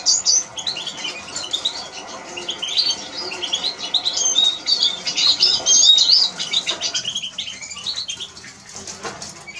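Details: Eurasian siskin song: a fast, dense stream of high twittering, chattering and wheezy notes through most of the stretch that fades near the end, with soft clicking underneath.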